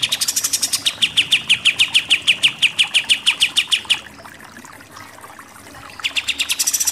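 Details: Pied triller in 'tembak' (shooting) style: a fast, even volley of short, sharp, high notes, about five a second for four seconds, then a brief hush before the rapid burst starts again.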